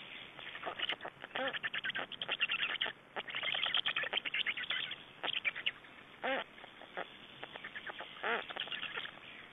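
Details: Black storks at a nest in Estonia on 3 June 2011, at exchange and feeding: busy stuttering chatter of quick rasping notes, with two louder, drawn-out nasal down-slurred calls standing out.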